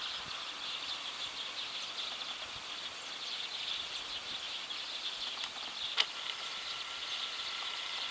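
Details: A flock of Eurasian tree sparrows perched in a ginkgo tree in the evening makes a steady wash of overlapping high chirps with no pauses; a single sharp tick stands out near the end.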